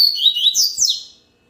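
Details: Song of a yellow-bellied seedeater, a high twittering phrase of clear sliding whistles and quick warbles, a few soft clicks beneath, ending abruptly and falling silent after about 1.2 seconds.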